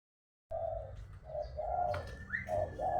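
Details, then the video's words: A spotted dove, used as a singing 'master' recording for training, gives soft, low, hollow coos in a steady, unhurried series, with a faint higher chirp and light room noise behind. "Burung Tekukur gacor"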